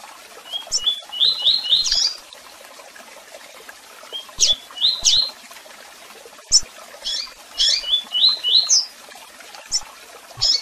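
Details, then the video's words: A double-collared seedeater sings tui tui with chirps and calls: repeated runs of quick rising whistles, each broken by sharp, high, clipped chirps, in about four bursts. "Canto de Coleiro Tui Tui Com Piado e Chamados!!!"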